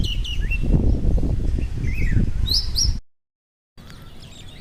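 A bulbul gives quick, bright chirps and short twittering notes in a busy run, over a heavy low rumble of wind or handling noise.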